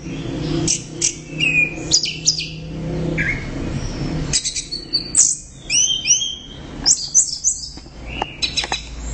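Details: Orange-headed thrush singing energetically: a varied mix of high chirps, rapid rising whistles and short trills in quick succession, with a low background hum.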